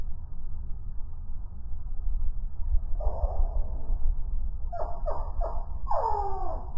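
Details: Anna's and Allen's hummingbirds squabbling and chasing at a feeder in Santa Clarita, California, played back ten times slower; drawn-out, descending squeaky calls in a brief group and then a cluster, over a loud low rumble.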